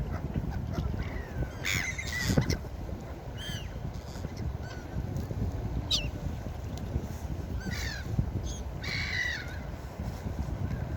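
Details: Seagulls calling repeatedly along the beach, a busy run of sharp, downward-sliding cries and short yelps every second or two, overlaid on continuous breaking waves and wind.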